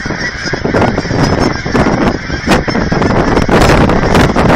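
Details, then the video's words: Large flock of geese clamouring for food at an aquatic center in Hereford, Texas; a dense wall of nasal honks overlaps with no pause, over a steady low rumble. "Geese by the Thousands"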